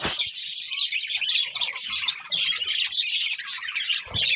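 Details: Pet budgerigars in a steady flurry of high chirps, squeaky warbles and scratchy chatter, many notes overlapping; a brief low thump near the end.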